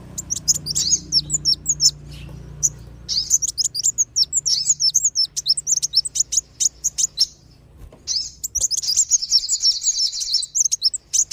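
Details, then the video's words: Lure call for kolibri wulung and sogon sunbirds, used to draw wild birds down; rapid, very high chirps and sharp ticking notes in long dense runs, pausing briefly before a thick burst of twittering, over a faint low hum. "SUARA PIKAT BURUNG KOLIBRI WULUNG DAN SOGON"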